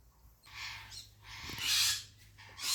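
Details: African grey parrot giving breathy, hissing bursts, three rising-and-falling rushes of noise, the loudest in the middle, with a faint low hum beneath.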